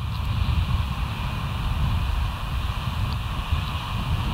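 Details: Steady low rumble of wind or engine noise with no animal calls heard.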